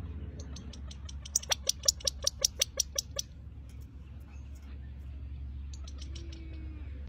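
A California quail gives a quick run of about ten sharp, clicking 'pit' notes, then a few fainter ones, over a low background rumble.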